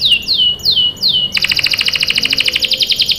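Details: Canary singing as a prompt for juvenile birds: four clear descending whistled slurs in quick succession, followed by a loud, rapid, metallic trill of evenly spaced notes.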